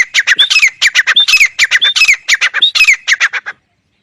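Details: Rhythmic grey francolin (teetar) phrases: groups of harsh clipped notes mixed with short rising whistled notes, repeated several times at a brisk pace, then silence.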